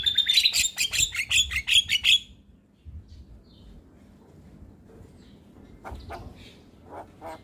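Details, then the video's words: Javan myna in energetic song, used as a tutor recording for mynas: a fast burst of about a dozen sharp, high chattering notes over two seconds, then near silence with faint distant chirps. "Masteran Jalak Gacor Untuk Semua Jenis Burung Jalak Auto Ngoceh Manggut2"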